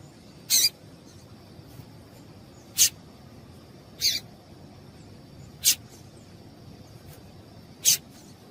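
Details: Yellow-bellied seedeater female calling, a sound used to excite males into song for tournament birds; five sharp, very high, clipped chips spaced roughly every two seconds against a faint steady hum.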